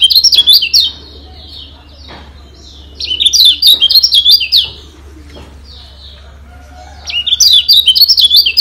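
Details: Training song of a Lombok yellow white-eye (kecial kuning), played to make other birds agitated and persistent: three lively bursts of rapid, high-pitched twittering with zigzagging notes, separated by quiet gaps of one to two seconds.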